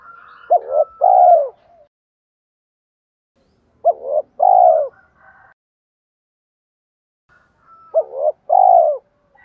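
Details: A decoy spotted dove, used to attract wild doves, repeats its three-note coo three times about every four seconds; short clipped opening notes lead into a longer falling final note, with faint softer tones between phrases.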